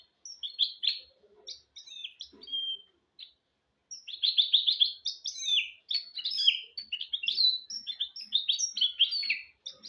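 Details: Song of a goldfinch × canary mule, kept as a tutor for young goldfinches and canaries: scattered high chirps, a pause, then a long run of rapid trilled notes and twittering, whistled phrases.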